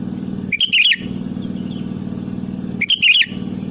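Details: Sooty-headed bulbul song used as a lure to call rivals: two short, bubbly whistled phrases about two seconds apart over a loud, steady low engine-like hum.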